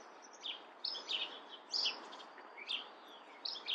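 Chestnut-backed chickadee giving thin, high chips and short sputtery notes, irregularly every half second or so, over a soft background hiss.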